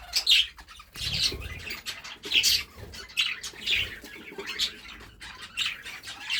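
Budgerigars chatter with rapid, scratchy warbles and sharp chirps in bright, overlapping bursts.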